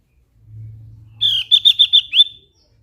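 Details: Javan grey-throated white-eye singing: a low hum at first, then a quick series of five sharp, high chirped notes ending in a rising flick, each note clean and close together.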